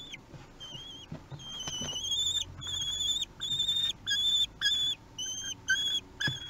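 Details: Being fed on 8 June 2021 at Théding, three-week-old common kestrel nestlings give loud, steady, high whistled whines in regular half-second bursts, with some soft rustling early on.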